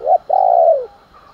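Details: Morning call of a spotted dove, cooing to incite a fight: one short rising note, a brief pause, then a long sustained coo sliding gently lower before ending, close and loud with little background.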